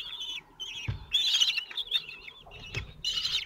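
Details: Common Kestrel chicks, four of them at 17 days old, at the nest in Théding, France, 27 June 2023, while the male feeds them. High wavering calls give way to a louder, shrill chattering burst, with a couple of thumps.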